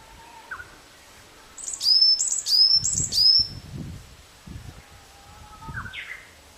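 Varied tit singing: three quick, high, thin whistled phrases in a row, then fainter lower whistles, over low rumbling wind or handling noise.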